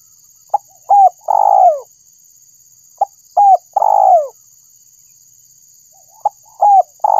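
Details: Spotted dove call, used as a lure for trapping birds: repeated three-part coo phrases, a short clipped note, a hooked coo, then a long, buzzy coo sliding downward, about every three seconds, over a steady faint high electronic whine.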